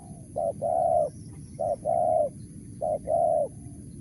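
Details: Mersik-style calling from a wild spotted dove: three phrases, each a short clipped coo followed by a longer, fuller, steady coo, spaced about a second apart over a low background rumble and a thin constant high whine.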